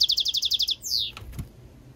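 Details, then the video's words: European goldfinch × canary mule ending a rapid series of high, repeated pulses with a long descending whistle, followed by a soft low thump. "European Goldfinch mule singing - Jilguero Mixto"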